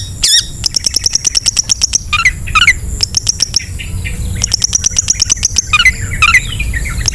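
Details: Long-tailed shrike singing ngetet, a lure for lazy or silent shrikes: long bursts of fast, even clicking ticks broken by short slurred whistles and twittering phrases.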